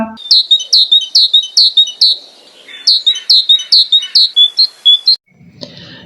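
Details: A tit, a small bird with white cheeks, black cap and yellow front, visiting a bird feeder, gives thin, bright, high notes in quick paired phrases, about two or three per second, with a brief pause midway before resuming.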